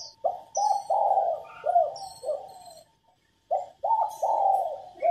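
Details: Spotted dove hen giving a lure coo to make males sing: a run of soft, low, rounded coo notes ending in a drawn-out one, a brief silence, then the phrase starts again; light high chirps behind.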